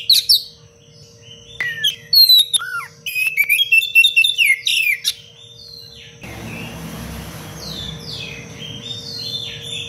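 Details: An Oriental magpie-robin in constant song, dense sharp cengkok rapat style, meant for teaching other birds: clear descending whistles and fast chattering phrases for six seconds, then a hissing background with soft faint notes.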